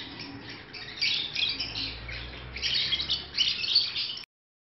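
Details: Soft high squeaks swell into rapid, scratchy chattering from pet African lovebirds in breeding season, then the sound cuts off abruptly into silence.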